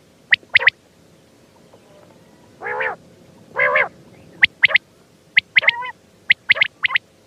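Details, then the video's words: Quail call: sharp triple pips, then two rough, buzzy, nasal notes, then more quick clipped pip phrases repeated about once a second. "Batair ki awaz quail Sound"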